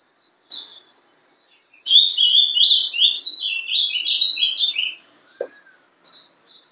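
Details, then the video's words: Young captive Ultramarine grosbeak, a ringed bird hatched 11/12/2012, sings in the Paraná style called sobe e desce: a fast three-second run of slurred whistles rising and falling between high notes. Soft chips come before and after, and a single low knock is heard. "Azulão Sobe e Desce.(Bizulão) Filhote de alta genética. Canto Paraná."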